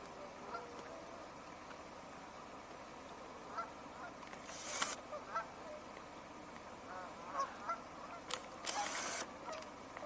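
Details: A distant flock of Tundra Swans on 31 January 2026 gives soft, high, hooting honks in a steady murmur, less vocal than a few weeks earlier, broken by a few sharp bursts of noise nearby.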